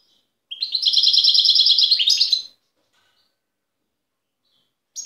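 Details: Wild European goldfinch recorded at Tiaret in 2015, delivering a steady, rapid trill of bright high twittering notes for about two seconds, ending in a buzzier flourish, then silence.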